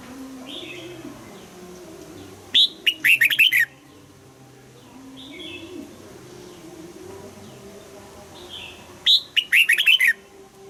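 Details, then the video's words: Red-whiskered bulbul coaxed into morning song in the 'âm kép già rừng' double-note style; two loud phrases of rapid chirpy warbling notes about six seconds apart, with softer distant bird notes in between. "Luyện giọng cho chào mào hót sáng, ép chào mào hót âm kép già rừng hay tuyệt!"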